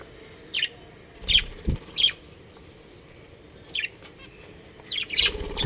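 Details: Home-kept budgerigars give a scattered series of short, high, slightly downslurred chirps, roughly one to two per second, with a soft thump or two and background hum.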